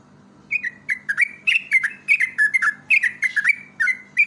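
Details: Yellow-vented bulbul lure song: a continuous, lively string of liquid, chortling whistles, each note dipping and bending, delivered rapidly for about four seconds over a faint hum.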